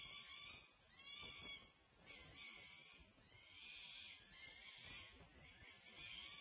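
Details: At a UC Berkeley peregrine falcon nest in June 2024, the mother feeds the female chicks while the male arrives. Rasping, screechy calls repeat every couple of seconds in drawn-out bursts over a windy hiss.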